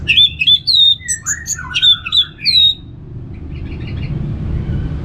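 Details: Relaxed ngeplong-style song of an orange-headed thrush for prompting kept songbirds: loud clear whistled phrases, some rising and some falling, for about three seconds, then faint distant notes and a low hum.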